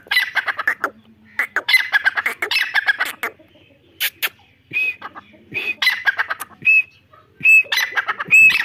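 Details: Irani teetar, a grey francolin, calling in bursts of grating, squawky phrases that end in a bright whistled note, with short pauses and faint clicking between the series.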